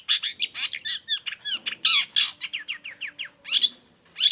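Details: Long-tailed shrike used as a model for other shrikes, singing a fast medley of harsh notes and repeated down-slurred whistles, with a faint low hum behind.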